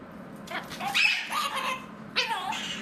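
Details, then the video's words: A pet male mitred conure talks, giving harsh, raspy voice-like phrases in two bursts with falling, speech-like inflections. "Mitred Conure Talking | Conure Sounds"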